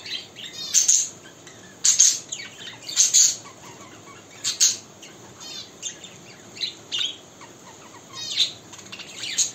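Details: A pet budgerigar sings and dances in the morning, chattering in bursts of high, scratchy warbles and chirps with brief pauses between.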